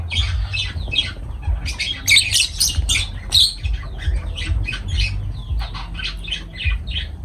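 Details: Pet lovebirds squawking loudly, clustered raspy broadband calls in quick succession, strongest around the middle, over a constant low hum.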